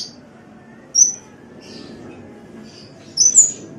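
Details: Sunbird training call for cage birds: thin, very high, piercing chirps, a single note, then a faint pair, then a quick double burst near the end, over low steady hiss.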